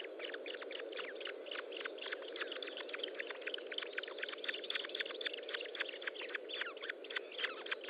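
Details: Osprey nest feeding on the morning of 25 June 2012: dense, continuous run of sharp chirped notes, roughly four per second and uneven in rhythm, above a steady droning hum.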